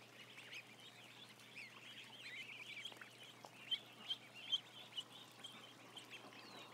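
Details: Thin peeping from a barn of roughly a thousand ducklings, softer at first, then several loud sharp cheeps spaced about half a second apart in the second half.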